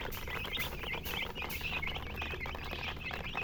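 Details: Baby chicken chicks peeping in a series of short, high chirps that each dip then rise, repeated in quick succession over low background rumble.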